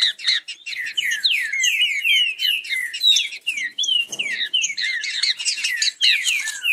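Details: Captive green-winged saltators, males warming up for fast competition singing, give a rapid, unbroken run of clear whistled notes, rising and falling without pause, so dense it may be more than one bird.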